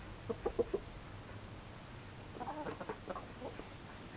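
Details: Yamato Gunkei chicken during its usual daily routine: four short, low clucks in quick succession, then a pause and a looser run of harsher, harmonic clucking notes, quiet against a soft background hum.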